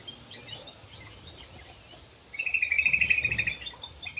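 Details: Javan pied starling heard faintly at first, then giving a single rapid, buzzy high trill lasting about a second, against a noisy background.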